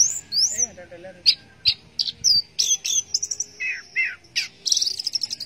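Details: Orange-headed thrush singing in the teler style: a rich, varied run of sharp high whistles, slurred rising and falling notes and quick chirps in short bursts, with a few lower warbled phrases between them.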